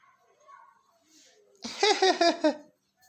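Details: Pakistani parrot talking, mimicking the words "Allah Hoo": a quick run of four voiced, wavering syllables after faint indoor murmurs, ending in silence.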